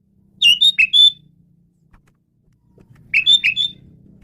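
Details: Male Asian pied starling in full song, played as a lure sound: two bursts of four or five loud whistled, slurred notes each, separated by about two seconds, over a faint low hum.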